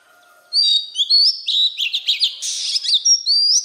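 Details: Wild-type voice of an Oriental magpie-robin, sung to stir newly caught birds: after half a second of near silence, a rapid run of bright whistled slurs, buzzy trills and sharp up-sweeping notes, loud and continuous for about three seconds.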